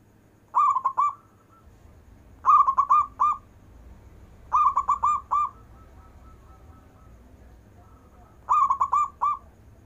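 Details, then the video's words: Local zebra dove in song with long breath, used to stir lazy zebra doves into calling: four phrases of soft cooing notes, each a quick run of four or five rolling coos around one pitch, roughly two seconds apart, faint low hum beneath. "Perkutut lokal istimewa manggung nafas panjang,cocok untuk manggil perkutut malas"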